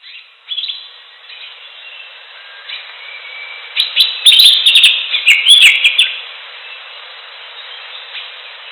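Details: Greater green leafbird singing in the wild: a burst of bright, rapid chirps and slurred whistles clustered mid-clip, high-pitched and varied, preceded and followed by quieter scattered notes over steady background hiss.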